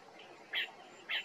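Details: Marsh babbler at Maguri Beel, Assam, India, in December 2023 gives two short, bright, high chirped notes about half a second apart over faint background hiss.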